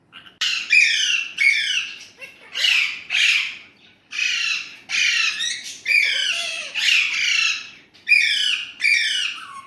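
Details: Indian ringneck parrot kept as a pet, talking in Urdu/Hindi: a steady run of loud, raspy, harmonic bursts about every second, with brief quiet gaps between them.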